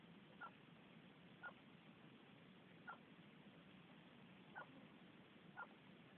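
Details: Chik-bul, the groove-billed ani, eating ants in a small patch of northern Yucatan jungle, captured on a cell phone: five brief, clear mid-pitched notes repeated roughly once per second against constant rushing background noise.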